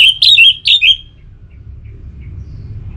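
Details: Orange-headed thrush song from North Bali, Singaraja, played to make kept birds sing: a quick run of clear whistled phrases around the upper-middle range, three rapid slurred notes within a second, then quiet with a low background hum.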